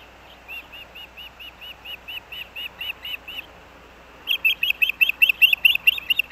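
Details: Male osprey bringing a fish to the nest for breakfast at Hellgate Canyon, Missoula, Montana, on 3 August 2024, recorded by a nest cam: a run of short, high whistled chirps, soft at first, then a louder, sharper burst of rapid chirps.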